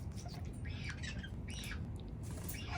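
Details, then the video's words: An African grey parrot eating grapes, tossing some down, gives three short, harsh, raspy squawks about a second apart over a low indoor rumble. "African Grey Parrot Makes Funny Sound Eating Grapes"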